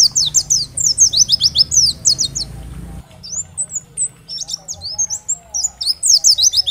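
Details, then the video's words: Oriental white-eye in lively 'gacor' song from a 'dakbal' bird, used to rouse other white-eyes to reply. Tight bursts of high, rapid sliding chirps, a short stretch of thinner whistles, then more quick chirping; low hum behind. "Terapi Masteran Pleci agar cepat Bunyi gacor dan nembak materi, pleci gacor"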